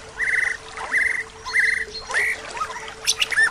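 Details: White-rumped shama in full isian song, packed with mimicked phrases: harsh buzzy rattling notes repeated about three times, then rising slurred whistles and high squeaks. A steady low hum runs underneath.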